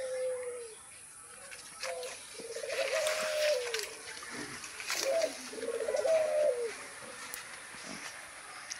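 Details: Lakha pigeons bathing in hot weather: rolling, low coos with arched rising-falling contours, several in a row, over splashing water noise and a constant high whine.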